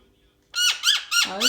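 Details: Playful male pet parrot chatting with its owner indoors: a run of four loud, grating squawks, each sweeping upward, in a small room.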